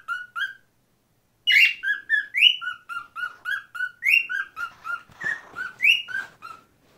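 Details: A pet cockatiel gives a rapid series of bright, rising whistled notes, a screaming tune it learned from two other birds in the household.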